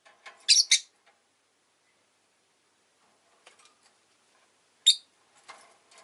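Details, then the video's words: Rosy-faced lovebird kept as a pet, with a quick pair of shrill chirps at the outset, then quiet with faint rustling and scratchy clicks, and one more piercing chirp near the five-second mark. "Lovebird Chirping Sounds"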